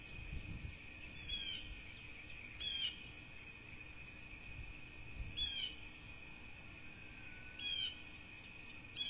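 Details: Bald eagle at a nest with two chicks on a cattle ranch in southwest Florida, 2 May 2024: short, high, quickly falling chirps in brief bursts every two to three seconds, over a steady electrical hum and low wind rumble.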